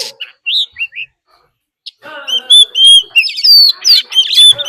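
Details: Oriental magpie-robin decoy in fighting song, a wild female's call mixed in: a few short whistled notes, a pause, then a loud flowing burst of clear whistles and trills.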